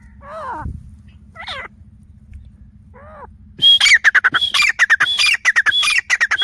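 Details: Grey francolin calling: faint curving notes at first, then an abrupt burst of loud, harsh, rapidly repeated squawky phrases with sharp high whistled accents lasting to the end.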